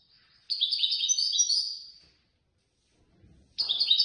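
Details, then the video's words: European goldfinch winning third place in a competition of the Casablanca bird lovers' association. It sings a rapid, liquid twittering phrase of high notes, pauses after a faint rustle, then starts another fast burst. "الحسون الفائز بالرتبة الثالثة في المسابقة التي نظمت من طرف الجمعية البيضاوية لمحبي الطيور"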